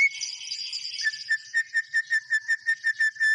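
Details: White-rumped shama in active song: a short burst of hissy, buzzy notes gives way to a steady run of about a dozen clear, identical whistled notes, each repeated roughly three times per second.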